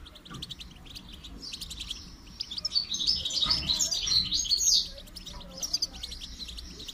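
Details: Goldfinch song used for training: rapid, jumbled high twitters and tinkling notes, rising to a louder burst in the middle before tapering into scattered chirps.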